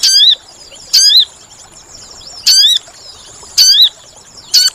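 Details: Sooty-headed bulbul calls played as a trapping lure: five loud, shrill notes, each bending down then up, spaced about one second apart over quiet background hiss.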